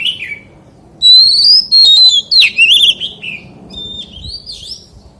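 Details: Oriental magpie-robin in forest-voice song: a soft opening note, then loud sustained whistles and quick slurred phrases, fading into quieter twitters.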